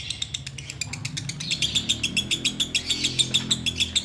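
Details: Sooty-headed bulbul in ngekek song, waiting for the Ramadan fast to break: a fast string of bright, sharp high notes repeated about three times per second, rising in loudness, with a low hum beneath.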